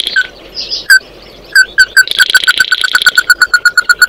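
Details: An Oriental white-eye calls the flock. A few spaced clear notes speed into a rapid, regular series, joined midway by a high buzzy twittering band.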